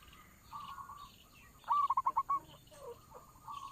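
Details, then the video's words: Local zebra dove with a strong voice, kept to lure doves for trapping. One clear phrase of six rapid, bubbling coos stands over a hissy background with faint distant trills. "perkutut lokal suara besar cocok buat para pemikat burung perkutut"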